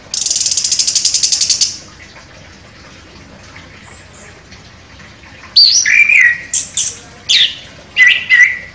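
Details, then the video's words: Orange-headed thrush, a contest champion with sharp, forceful delivery: a fast buzzy trill opens, then after a pause come loud whistled phrases of slurred and rising notes with varied high chirps. "ANIS KEMBANG JUARA NEMBAK TAJAM"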